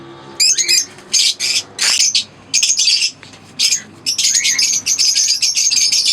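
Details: Green Fischer's lovebird pair kept as a caged pair, singing and chirping: rapid high squeaky chatter in short bursts separated by brief gaps, harsh twittering notes repeated at an uneven pace.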